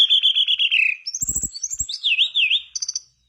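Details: Mangrove blue flycatcher singing strongly as a prompt for other birds: a long falling whistle, a rising high phrase, a wavy warbled section, then a brief fast trill; soft clicks underneath.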